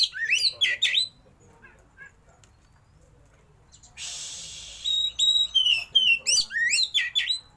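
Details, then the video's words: Oriental magpie-robin (kacer) in showy 'roll tembak' song with mimicked fill, tail spread: quick whistled slurs, a quiet pause, a hiss of noise, then a fresh run of rising and falling whistles. "KACER ISIAN MEWAH❗KACER ROLL TEMBAK BUKA EKOR"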